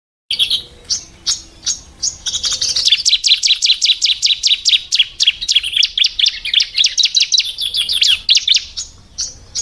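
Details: Female Bar-winged Prinias (ciblek) chirping: after a few scattered high notes, a fast run of sharp, high, clipped chirps repeats about three times a second with a slight buzzy edge. No other sounds are clear.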